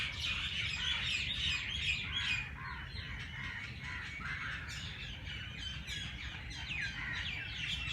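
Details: Early-morning birdsong at Jilani Park's race course in Lahore: many birds tweeting and twittering together in rapid, jumbled bursts, some notes dipping and rising, a harsher call now and then, over a soft low hum.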